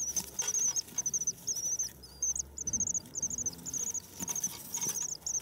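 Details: Common swifts newly arrived in spring, heard on 9 May. Rapid, tightly packed shrieking trills follow almost without pause and rise and fall in strength, with light crackling noise behind them.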